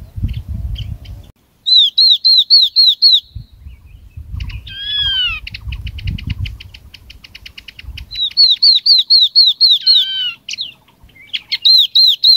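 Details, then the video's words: Chinese hwamei singing, played as a lure to draw in a flock. Rapid runs of ringing, looping whistled notes alternate with long falling whistles and a dense chattering stretch, with low rumbling noise underneath between phrases. "Tiếng chim họa mi mắt vàng mồi gọi đàn"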